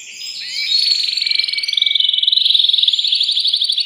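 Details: Excited male canary singing to a female to prepare her for mating. Starts with a few quick sliding notes, then swells into one loud unbroken rattling trill that holds a steady high pitch.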